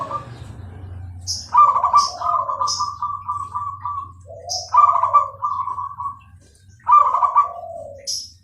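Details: Zebra dove of the Bangkok strain in full clear song: a long stuttering coo of about six rapid beats, then shorter trilled phrases with dropping tails, punctuated by high thin chirps from other birds.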